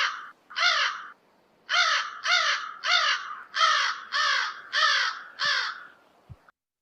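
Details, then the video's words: An American crow gives its common call, familiar from backyards and woodlots: a series of nine harsh, nasal caws, each about half a second long, delivered steadily at under two per second, with little else heard. "right? So, that's a common crow call that you've heard probably in your backyard or in your wood lot."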